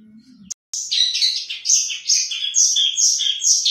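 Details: Hobbyist-kept long-tailed shrike delivering 2020 contest song material borrowed from other birds: after a sharp click, a lively stream of high warbled and chirping phrases, varied and loud.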